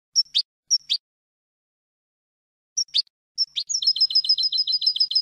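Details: European goldfinch tutor song without endings or finishing phrases, used to teach young goldfinches: sharp paired chirps separated by silence, then a fast, even twittering trill of bright high notes.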